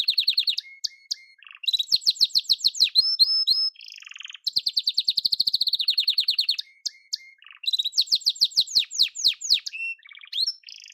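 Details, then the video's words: A yellow canary sings a long, varied song of rapid repeated chirps, rolling trills and short level whistles, phrases alternating quickly with brief pauses between bursts. "Harika kanarya sesi ve ötüşü"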